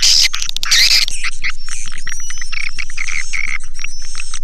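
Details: Lure sound of swiftlets, Sp Bku 7 type: a loud burst of shrill twittering at the start, then steady rapid clicking about twice a second beneath a faint continuous high whine.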